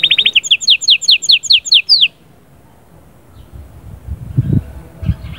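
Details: Canary song meant to stimulate the female: about two seconds of quick downslurred notes repeated in a steady series, followed by quiet with low rumbling background noise.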